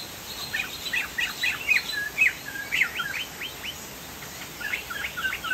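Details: Chinese hwamei, described as a Sumatran crested bird singing actively: a lively series of clear whistled notes, many rising or falling slurs, delivered about twice per second with short pauses, over faint steady background hiss.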